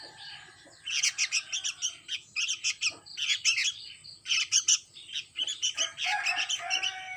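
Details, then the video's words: Sooty-headed bulbul chick begging with loud, buzzy, high chirps in dense bursts, pausing briefly between runs. "Anak burung kutilang"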